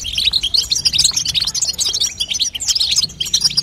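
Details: European goldfinch female chatter, known locally as babtaba, played to strengthen a young goldfinch and stimulate it to sing: dense, fast, high twittering and tinkling notes pouring out continuously without a break.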